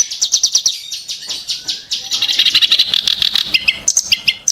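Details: Sharp and harsh Ashy tailorbird song: a fast stutter of very high notes flows into a buzzy, rattling chatter, then a few clear whistled phrases near the end.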